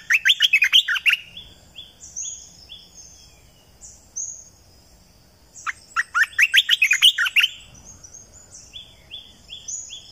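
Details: Red-eyed bulbul song used as a bird lure, recorded in 2020: two loud, bubbly chattering phrases about five seconds apart, with soft, regularly repeated short rising whistles between them.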